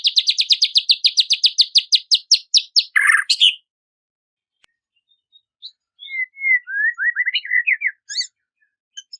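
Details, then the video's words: White-rumped shama song aimed at provoking a rival: a fast run of repeated chip notes ending in a harsh burst, a long silence, then soft scattered whistles and slurred notes. "KICAUAN SUARA MURAI INI MEMANGGIL LAWAN"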